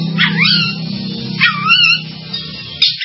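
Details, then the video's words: Oriental magpie-robin (kacer) song: two clear whistled phrases that swoop down and then rise, about a second apart, over a steady low musical drone. "SUARA BURUNG KACER"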